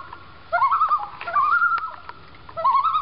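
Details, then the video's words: Two common loons calling on a backyard lake in Maine as they pass by; a wavering, warbled, quavering call that breaks off, then resumes in fast tremulous bursts, with faint water splashes. "Singing Loons in Maine"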